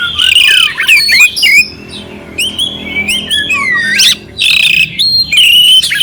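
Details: Oriental magpie-robin song with rough fill-in phrases, played to raise the temper of a calm magpie-robin; sustained wavering whistles alternating with harsh chattering bursts and brief pauses.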